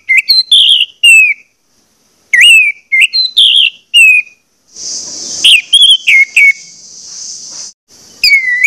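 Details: Orange-headed thrush song for prompting birds to sing: varied whistled phrases and falling slurs, then a sustained high hissing buzz beneath scattered notes, ending with a downward whistle.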